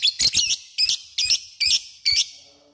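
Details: Lovebird calling to provoke an opponent: a series of sharp, high chattering notes in short bursts, about five groups over under three seconds, each bright and buzzy with quick upward inflections.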